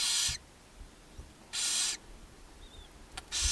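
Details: Nest-box barn owls in Ságvár, Hungary, on May 4, 2024, with the mother feeding seven owlets. Three rasping, noisy hisses, each about a third of a second long, come roughly every one and a half seconds, with a soft click in between.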